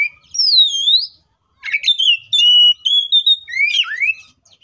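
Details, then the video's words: Fighting song of an Oriental magpie-robin, used to get other magpie-robins singing: a long looping whistle, then a sequence of sustained pure whistles, buzzy notes and a steep rising slur, all loud and close. "KACER GACOR FULL ISIAN MEWAH TARUNG NGEPLONG NGOTOT❗PALING AMPUH BUAT PANCINGAN KACER AGAR BUNYI!"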